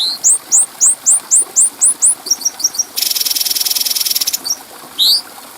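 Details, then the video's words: Bulbul, known locally as cucak cungko, from a clear tutor recording used to train other birds: a string of rising whistled slurs, quick paired notes, a dense harsh buzzy trill, then one more upslurred whistle. "Masteran Burung Cucak Cungko Suara Jernih"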